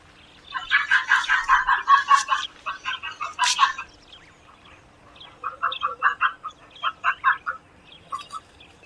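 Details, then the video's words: Egyptian vulture giving a long run of quick, clucking, chattering notes for about three seconds, a pause, then a looser second series of similar croaking pulses. "Стервятник. Гриф. Голоса птиц"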